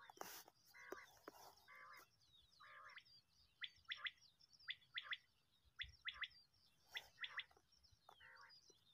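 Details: Common quail calling during net hunting in Khyber Pakhtunkhwa, Pakistan, where the call lures quail into nets. Short, sharp clipped notes come in quick groups of two or three, repeated roughly every second. Harsher, buzzy, rasping bursts are heard earlier.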